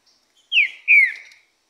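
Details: A Green-winged saltator sings during its moult: two loud, clear whistled notes, each sliding downward, the second longer and fuller. No other sounds.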